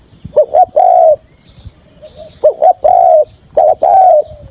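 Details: Decoy spotted dove giving its 'thúc gù' trapping call: three phrases of two short rising notes followed by a long mellow coo that falls away at the end.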